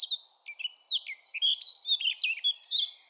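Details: Eurasian blackcap delivering a lively jumble of clear whistled notes that swoop up and down. Short phrases follow one another with barely a break.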